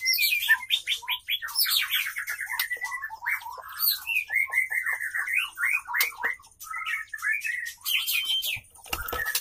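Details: White-rumped shama, male wooing a female while mating; rich, varied whistled song of quick slurred notes, trills and chattering phrases running almost without pause.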